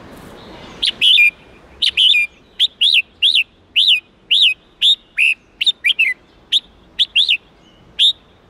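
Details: Red-whiskered bulbul singing the wild-standard 8-9-10 note song used to teach young birds: a long run of short, loud, whistled two- and three-note phrases, bright and slurred, coming about twice a second.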